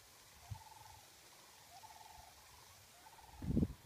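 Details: Migrating sandhill cranes arriving at a nature preserve in fall; three faint, rolling rattled calls in separate bursts about a second apart, with a loud low thump near the end.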